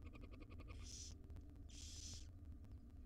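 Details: Five wild barn owl chicks in a nest box begging as their mother brings breakfast; two rasping, breathy hisses roughly a second apart, against a low electrical hum and ticking.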